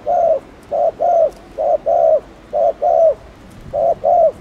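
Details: Spotted dove giving rapid gù coos meant to stimulate other doves. Quick pairs of mellow hoots, short then longer, repeat in a tight rhythm with barely any gaps.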